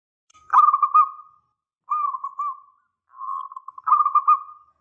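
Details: Local zebra dove in full song, with a big voice used as a lure to draw a reply. Four phrases of rapid, buzzy, trilled cooing sit on one steady pitch. Each lasts about a second, with short pauses between, over a quiet background.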